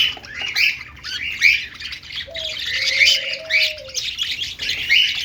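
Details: Several pet budgies chirping happily: dense, scratchy, overlapping chirps and squawky notes in bursts about every second, with a steady low whistle-like tone running through the middle of the recording.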